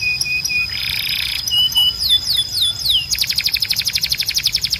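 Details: Canary training song: a harsh buzzy burst and short level notes, then a run of falling whistled slurs repeated about four per second, ending in a loud, rapid pulsed trill, with a constant high tone behind.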